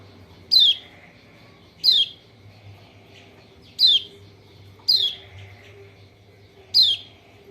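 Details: Lombok white-eye (kecial kuning) call used as a lure to prompt a reluctant bird to sing: five sharp, high, thin notes slurring steeply downward, each brief and spaced about one and a half seconds apart, over a faint low hum.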